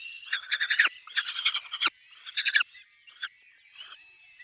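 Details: Peregrine falcon nest with chicks, heard as three loud, rasping, pulsed bursts followed by a short note and fading, thinner whining calls.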